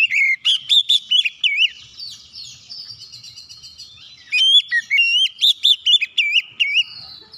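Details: White-rumped shama in full song, used to provoke other shamas: rapid sequences of looping, slurred whistles, with a softer warbling middle section before another fast loud run.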